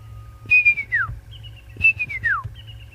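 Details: Brown-hooded kingfisher on a September 5 evening safari drive after the first spring rains gives two clear whistled phrases, each sliding steadily downward and ending in a falling note, over a low engine rumble.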